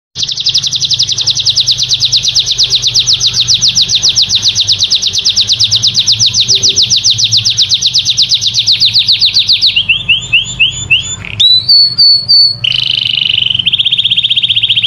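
A canary sings a long, rapid, even trill for about ten seconds, then shifts into shorter rolling phrases and a sweet whistled tour at slightly lower pitch.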